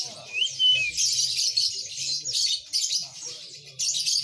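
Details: Oriental magpie-robin (kacer) singing vigorously: one clear whistled sweep early on, then dense scratchy high chatter in bursts, with low murmuring voices underneath.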